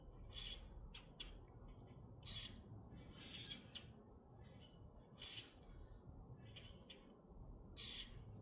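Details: Minnesota grackles making loud, raspy squawks roughly every one to three seconds, with short clicking notes in between, over a low steady rumble.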